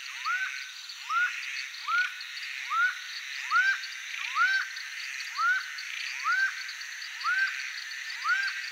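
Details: A wild laughing falcon, known in Brazilian folklore as a bird of bad omen, repeats a loud, hollow, upslurred note about once a second, ten times in a steady series, over a constant hiss of insects.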